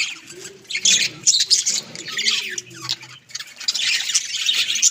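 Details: Home-kept budgerigars squawking and warbling in irregular bursts, harsh scratchy notes with brief lulls, over a faint low indoor hum.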